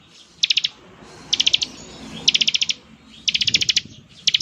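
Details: Bar-winged prinia in full voice, singing the rattling 'ngebren' style said to make other prinias answer: high, rapid bursts of five to seven sharp notes, each burst about half a second long, repeated roughly every second, with faint low background rumble.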